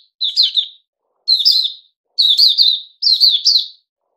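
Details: Cage-kept Puteh Raja bulbul, fed fruit juice, one mealworm and a life-force drink, repeats four rich, wavering phrases about a second apart. The notes are bubbly and slurred, with nothing else audible.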